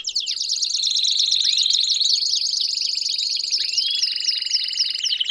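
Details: Belgian canaries in chorus, played to encourage another canary to sing; busy layered trills, quick repeated chirps about four per second, and a few rising slurred whistles over a steady high buzz.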